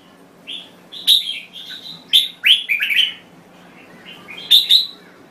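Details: Red-whiskered bulbul from Thailand giving clear, high warbled phrases, sharp downward-sweeping notes bunched in quick bursts, a brief lull, then a final bright pair of chirps.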